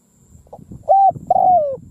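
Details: Decoy spotted dove cooing in a field to lure wild doves: a short hollow coo followed by a longer, steady coo that sags at its end, over soft low rustling.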